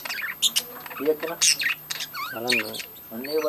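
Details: Budgerigar breeding colony chattering loudly: rapid high chirps and squeaks mixed with nasal, buzzy warbles that waver up and down, several birds calling at once.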